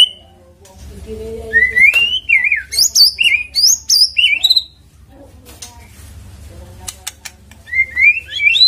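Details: Shama lure song: clear whistled phrases that climb and fall, delivered in rapid, uneven bursts. A quieter gap with clicks follows before the singing resumes.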